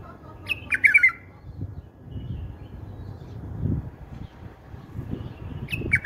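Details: A bulbul sings a song style beloved by its breeders. A rich warbled phrase opens the clip, and another begins at the end. Low rumbling noise fills the gap between them.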